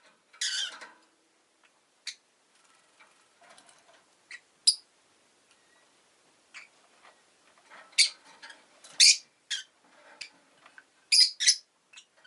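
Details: Rosy-faced lovebird giving sharp, shrill chirps in scattered bursts, with a loud harsh call near the start and a cluster of rapid calls around eight and eleven seconds, separated by soft clicks and quiet gaps.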